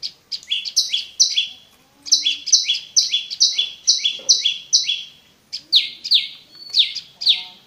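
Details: Song of the prenjak lumut (olive-backed prinia) used as a lure for caged prinias: fast bursts of high, downward-sweeping buzzy notes with brief pauses between runs, plus a few softer chirps from other birds.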